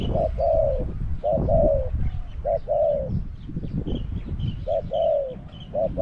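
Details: Spotted dove used as a caged decoy to attract wild doves, Song Phi Nong. Rhythmic two-part coos, a brief note followed by a longer descending one, repeated several times, with faint high chirps of other birds behind.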